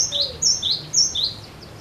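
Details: Short burst of a cinereous tit singing persistently to encourage other birds to sing: three ringing two-note phrases, a high steady whistle dropping to a lower downslurred note, delivered evenly.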